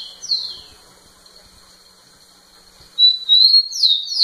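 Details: Rufous-collared sparrow singing at a female: one falling whistle, a long faint steady tone, then a loud phrase of level whistles followed by downward slurs.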